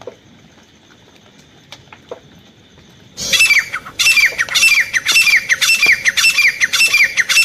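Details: Grey francolin calling as a hunting lure: after three quiet seconds, loud harsh calls begin, each a rasping burst ending in a downward-sliding whistle, repeated steadily almost twice a second.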